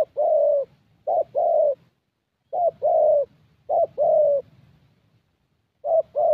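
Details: ["Young 'thổ' Spotted Dove with a fairly good voice, recorded at a decoy meet-up in Gia Lai, Vietnam. Low two-part coos, short then long, arrive in uneven bursts separated by pauses of up to a few seconds."]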